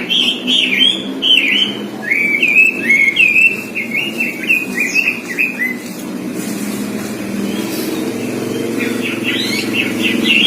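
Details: Red-billed leiothrix, or Pekin robin, trained on the songs of all kinds of songbirds: about six seconds of rapid, looping whistled phrases and chatter, then a steady rumble of engine or traffic noise, with a few faint bird notes near the end.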